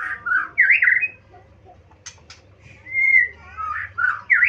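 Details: Murai song of loud, varied whistled phrases, looping and slurred up and down. A pause is broken by two sharp clicks, then the rich warbling returns over a faint low hum.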